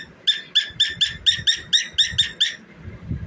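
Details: Nine quick, harsh, ringing notes from a singing and dancing pet cockatiel come in an even run, then stop, leaving only low rumbling and thuds.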